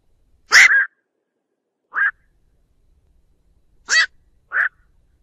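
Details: Black-crowned night heron calling to gather its flock, made as a clean trapping lure. Four rough croaks in two pairs: a loud grating call followed by a softer, shorter nasal one, with silence between.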